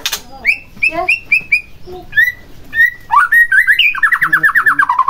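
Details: White-rumped shama song played to provoke another shama into singing: a loud varied phrase of repeated clear whistles near the start, then buzzy notes and a fast rapid trill of descending, slurred notes toward the end.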